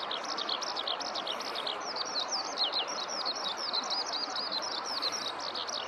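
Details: Eurasian skylark singing at length on the ground in a rice field; fast high chirps and slurred whistles tumble on continuously, a busy warbling stream over low constant background noise.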